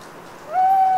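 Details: Owl alone at night in a Cévennes foothill wood, France, after autumn rain; the start of a level, pure hoot, held steady to the end, with soft background dripping from wet branches.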